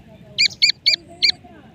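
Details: Teetar, a francolin, gives four loud, clipped, high-pitched notes in quick succession, the last after a slightly longer gap, against quiet low rumble.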